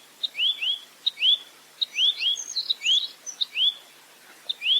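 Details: A velvet-fronted nuthatch sings a clean 'full roll tembak' series: crisp high clicks each leading into paired upward-sweeping whistles, about eight phrases in quick succession, with a few scattered thin chirps mixed in.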